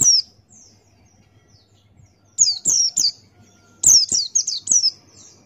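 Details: Male Buxtoni white-eye (pleci) singing energetically in the wild-style 'ngalas' manner, beak open, as a tutor recording. A lone short note, a pause, then bursts of three to four sharp, very high downslurred chirps.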